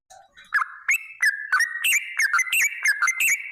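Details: Yellow-vented bulbul singing as a lure to get other bulbuls singing: starts with soft low notes, then loud liquid whistles and sharp clicks tumble together in a quick, rolling phrase.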